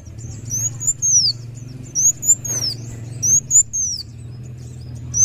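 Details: Kolibri wulung sunbird song with spaced phrases of high, thin whistles that rise slightly then slide down, over a low steady hum.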